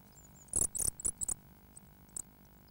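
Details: Eurasian blue tit chicks in a nest box in Bedford, UK, about nine of them, around 9:00am on 6 May 2009. A quick cluster of loud, very high hissing squeaks comes first. A single burst follows after a pause, with thin faint peeps in between.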